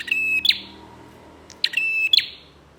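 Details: Song of a bar-winged prinia, played to draw other prinias into singing: two bright, buzzy, harmonic-rich notes with sharp clicks at each end, about one and a half seconds apart.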